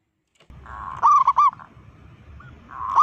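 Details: Loud-voiced local zebra dove giving a provoking call aimed at other zebra doves: three sharp ringing coo notes in quick succession over faint background hum, then a drawn-out coo beginning.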